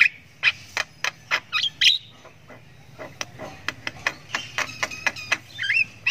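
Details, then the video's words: Chick of the Javan myna, learning to sound, keeps up 'ngriwik' chirping: a steady train of sharp clicks roughly every third of a second, broken by short harsh buzzy squawks. "ANAKAN JALAK KEBO SULTAN NGRIWIK PANJANG"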